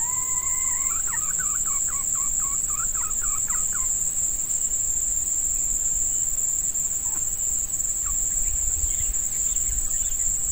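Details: Wild red junglefowl answering a female decoy used to lure males, in hot weather suited to breeding: a loud crow, a held note followed by a rapid stuttering, wavering run, then quiet with a continuous high insect whine.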